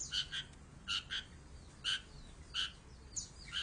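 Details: Harsh, nasal calls from a long-tailed shrike, often given in doubled notes, repeated about once a second over a noisy, hissing background.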